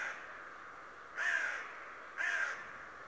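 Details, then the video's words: Two hoarse, strident caws about a second apart from a raven described as a talking bird, each call rasping and slightly descending, with a quiet hiss behind. "Der sprechende Rabe der mich täglich ausspioniert. The talking raven that spies on you every day."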